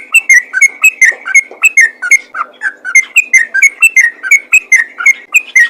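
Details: Energetic song of a Sooty-headed bulbul meant to stir other bulbuls into singing: a steady stream of quick, slurred whistled notes, about three per second, bright and ringing throughout with no pauses.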